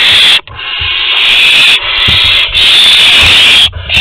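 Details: Barn owls at Théding, August 23, 2020, as an older owl gives prey to a younger one: one loud, steady, breathy hiss that runs almost without pause, broken only by a few short drops.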